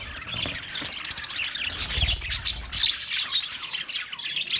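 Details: Budgerigars in a large master cage, recorded 9 March 2024: dense, busy warbling chatter from many birds, high chirps and squeaks overlapping continuously, with a few low thumps underneath.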